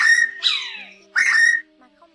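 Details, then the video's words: Bar-bellied pitta lure recording used to call in a flock for trapping and slingshot hunting: two loud, clear whistled notes, the first sliding downward and the second steadier, over a faint steady electronic hum. "Tiếng Chim Đuôi Cụt Bụng Vằn Gọi Bầy"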